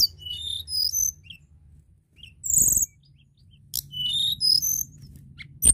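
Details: Hill blue flycatcher singing: high, sweet whistled notes and quick trills in short bursts, with pauses between phrases and a brief chirp burst; faint low hum beneath.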